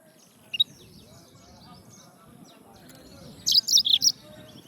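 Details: Yellow-fronted canary: a faint pair of notes early, then a quick cluster of four or five bright high chirps toward the close over soft background noise.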